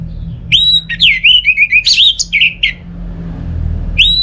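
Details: Rising whistle, then a rich run of warbled, looping notes that falls quiet before one more rising whistle: an orange-headed thrush singing, recorded in Singaraja, North Bali, with low hum behind.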